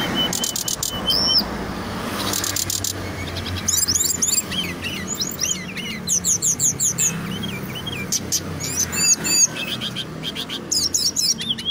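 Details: Brown-chested jungle flycatcher, a local Indonesian songbird prized for its loud, dense song, singing continuously in bursts of rapid high clicks, looping whistled slurs and trills, with constant low background noise.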